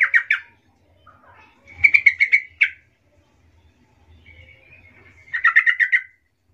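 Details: Yellow-vented bulbul gives soft lure calls meant to make other bulbuls answer: three bursts of bubbly, chattering notes around mid pitch, each about a second long, with quiet pauses between.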